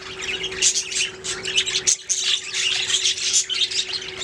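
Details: Budgerigars singing together, rapid overlapping high chirps and scratchy warbles, with a brief pause near the middle and a steady faint electrical hum throughout.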